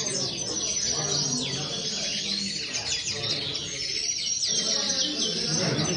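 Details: High, fast chattering song credited to a common linnet, with bursts of twittered chirps and sliding whistles broken by brief gaps, against steady noise.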